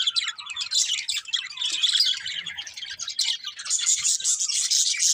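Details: Budgerigar breeding pair chattering nonstop, a bright, rasping stream of fast chirps and twitters that grows fuller and louder toward the end.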